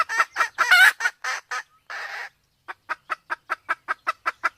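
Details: Red junglefowl from Sumatra, a male and a female in heat: loud, harsh clustered notes with one buzzy rasp, a short pause, then evenly spaced crisp clucks repeated roughly three times per second.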